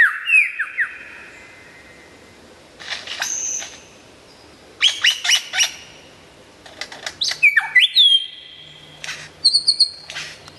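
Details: Lyrebird in full, varied song: falling whistled slurs, sharp clicking bursts, a level whistle stepping up, and high thin notes near the end, with short pauses between phrases.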